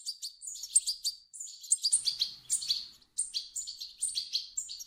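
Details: Begging goldfinch chicks, whose calls serve to coax an adult European goldfinch into singing, give choppy groups of high, scratchy chirps with a couple of brief silent breaks between groups.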